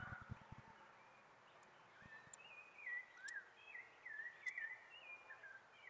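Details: Sabiá thrush singing at the arrival of spring: a steady flow of mellow, warbled whistles that rise and fall, over a constant background hiss and a few soft knocks.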